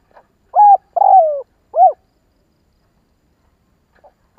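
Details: Spotted dove call played as a quick-acting decoy for wild birds in Vietnam: a short coo, a longer falling note and an arched final coo in close succession, then a pause with faint soft notes.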